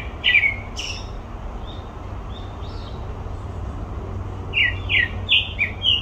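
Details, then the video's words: At Olympic Park a grey-backed thrush gives one descending whistle and a sharp high note, then soft faint twitters, then a quick series of four falling whistled notes; low rumble throughout. "되지빠귀 울음소리"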